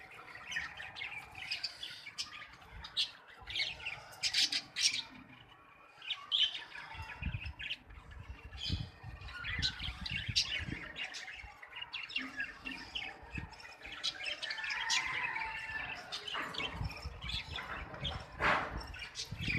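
Budgerigars chatter in a busy mix of high chirps, squeaks and warbling notes.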